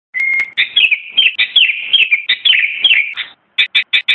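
Sooty-headed bulbul singing a bubbly run of clear, mid-high whistled notes for about three seconds, then four short chirps after a brief pause.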